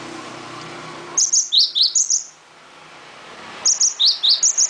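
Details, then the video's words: Cinereous tit singing vigorously: two quick bursts of about seven high, sharp chirping notes, the phrase repeated after a short pause over a faint low hum. "kicau burung glatik wingko gacor"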